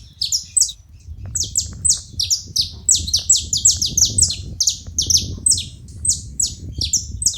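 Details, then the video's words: Saffron finch making noise at a feeding station: dense, overlapping high chipping notes, rapid and continuous, possibly more than one voice, over a steady low-frequency background murmur. "Canário da terra fazendo barulho na seva"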